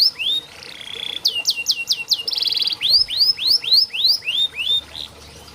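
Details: Canary training song for reluctant singers. Short trills and repeated arching whistles alternate, each tour a quick run of matching notes, ending in a softer fade.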